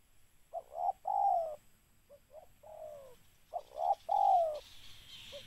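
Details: Spotted dove calling as a trapping lure: clipped double notes leading into long, falling, mellow coos, repeated several times, with a faint hiss and a brief higher rustle near the end.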